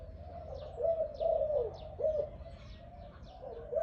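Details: Malay-type dove with a big voice producing a few separate rolling coos with short gaps between them, accompanied by light chirps from other birds in the background.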